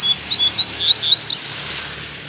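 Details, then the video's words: A lined seedeater sings in a dense forest patch with bamboo and brachiaria grass: a quick run of high, thin slurred notes, about four a second, ending in a brief twittering flourish over a faint steady hiss. "O bigodinho cantando aí também."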